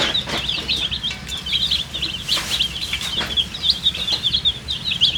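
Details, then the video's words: Thirsty coloured chicks drinking water fill the air with busy, piercing cheeps, many birds calling at once in quick, uneven bursts of short, high notes. "MURGI chicks Chirping sounds with thirst for drink water"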